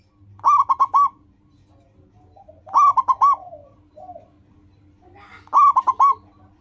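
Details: Actively singing local zebra dove, a recording offered for training caged doves to start singing; three phrases of four or five bubbling, stuttering coos about every two and a half seconds, with soft low hum and faint extra notes between.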